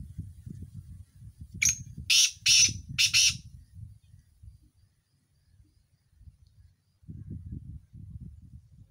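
A partridge gives four loud, harsh, grating notes in quick succession over about two seconds, with low rumbling background noise before and after.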